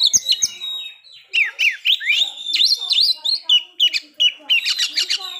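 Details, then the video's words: Song of an Oriental magpie-robin, used to provoke breeding condition and aggression: rapid series of downslurred and upswept whistles with interspersed chattering notes, several phrases repeated quickly in a lively, continuous stream. "pancingan agar kacer capat birahi dan emosi terampuh"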